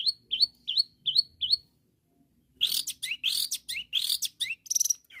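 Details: Long-tailed shrike calling rivals, the song meant to make other shrikes sing: five quick rising whistles, a short silence, then a burst of harsh, scratchy, buzzy notes and slurred calls.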